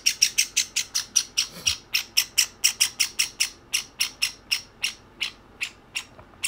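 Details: Softer begging between two young domestic Java sparrows, one white and one sakura. Crisp, high chirps repeat about three times a second and gradually slow and space out toward the end.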